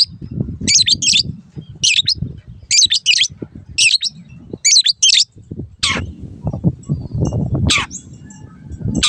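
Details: Long-tailed shrike training recording for caged birds: harsh, scratchy bursts repeated roughly every second, then several sharp descending whistled notes, over steady low background noise.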